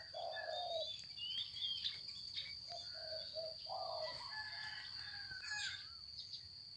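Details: Spotted dove decoy bird of the mountain type from Phetchabun, Thailand, described as having a medium voice: low, hollow coos in short groups, mixed with other birds' high chirps and a steady high-pitched tone.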